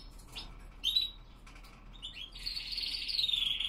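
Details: Classic Spanish Timbrado canaries singing at dawn in the cold, 5°C and 87% humidity, 07:46 am; scattered short high chirps, then a sustained bright trill filling the last second and a half.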